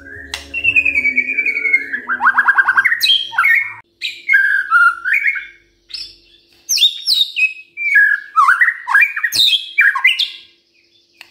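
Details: Morning song of a white-rumped shama, used to provoke quiet birds into answering: loud fluty whistles alternate with quick rattling trills and high chipped notes in phrases separated by brief silences, over a faint low hum.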